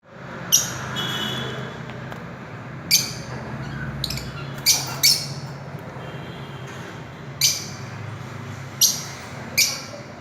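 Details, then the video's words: Fischer's lovebird giving sharp, piercing high squawks spaced irregularly a second or more apart over a steady indoor background hum. "Melodious Chirping Sound of Love birds"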